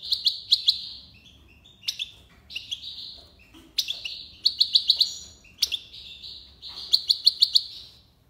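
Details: Goldfinch from Algiers singing in the tiwawati style, short nasal buzzy phrases broken by sharp clicks and twinkling ticks, phrases separated by brief pauses over a quiet background.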